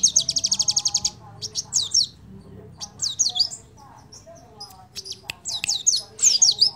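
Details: Crimson sunbird song played as a lure to get other birds singing, opening with a fast high trill about a second long, then scattered sharp chirps and twittering phrases with quiet gaps.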